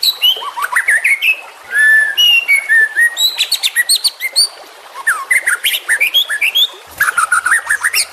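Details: White-rumped shama juvenile song for tutoring captive-bred birds: quick rising whistles, clear descending notes, and dense bursts of sharp chips and trills in a varied, energetic sequence.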